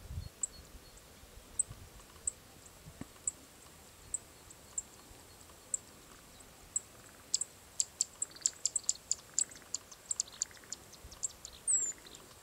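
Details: Male Japanese reed bunting (ochre-rumped bunting) calling in highlands of Kumamoto prefecture, Japan: thin, very high tsip notes about once a second, quickening into a tight run of sharp ticks near the end, over faint hiss.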